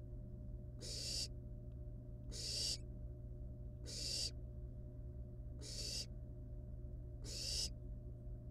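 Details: Wild barn owl nestlings at the nest with a live rat brought as prey, the young playing with it before killing and eating it; five harsh, breathy hissing bursts, each about half a second, repeated roughly every 1.6 seconds over a steady low electrical hum.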